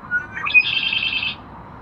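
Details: A red-winged blackbird on a pier at a wildlife refuge, 21 May 2012, sings a few short rising introductory notes, then a buzzy, ringing high trill lasting under a second, over faint hiss.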